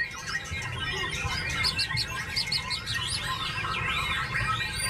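White-rumped shama singing a rich, varied run of whistles and chirps over a low background rumble.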